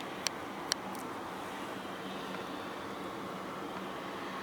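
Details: A constant hiss of wind and traffic runs throughout, broken by two sharp clicks near the start, with no animal calls.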